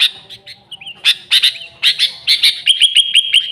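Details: Lively sooty-headed bulbul song, genuine and without other birds mixed in, played to attract bulbuls: rich bubbly notes and slurred chirps, ending in a rapid string of short evenly repeated notes.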